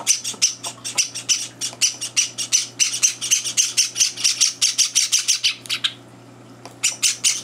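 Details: Java sparrow chicks begging at breakfast time, older birds barging in; a quick tumbling series of high squeaky chirps, a brief gap, then the calls resume.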